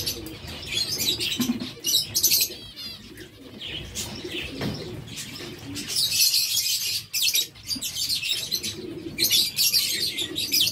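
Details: Captive zebra finches in a breeder's setup in Sargodha: dense, continuous high buzzy chattering and short nasal notes from many birds at once, with low soft cooing beneath and occasional fluttering.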